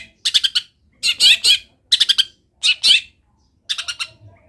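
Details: Long-tailed shrike delivering a mimicry-laden masteran song: five quick bursts of harsh, rattling chatter roughly every second, each built of three or four stuttered high notes, separated by short silences.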